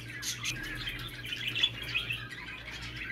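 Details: Short burst of budgerigar warbling meant to stimulate a male for mating: soft scratchy twitters and a couple of brief whistled squeaks over a low steady hum.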